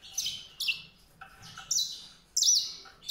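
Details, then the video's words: White-rumped seedeater giving short bursts of thin, high, buzzy trilled notes, about four phrases separated by brief pauses, over a quiet background. "song canário-de-sobrebranco, Weißbürzelgirlitz, Edelzanger, kanárik sivý, zvonohlík šedý, greysinger"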